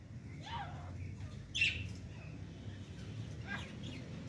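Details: Female grey francolin trying to fight with chicks gives a few brief, high chirps and one louder squawky note, spaced out over a few seconds, against a steady low rumble.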